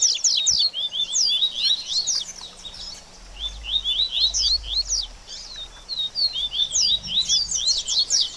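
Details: Post-moult warm-up song of a double-collared seedeater, with lively upswept whistled notes and quick twitters repeated in bursts over eight seconds, a faint low hum beneath.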